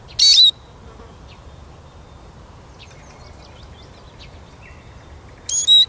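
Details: Eurasian siskin with one high, slurred descending whistle at the start and another at the end, separated by a long quiet stretch with faint distant chirps.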